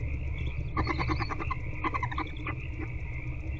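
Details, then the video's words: Barn owl hatchlings begging while their mother feeds them inside nest box C, night of 8 February 2024, 9:20 to 9:26 pm; two bursts of rapid pulsed chittering, each lasting under a second, over a constant low electrical hum. "Hatchlings Being Fed By Mom #AvaTheBarnOwl"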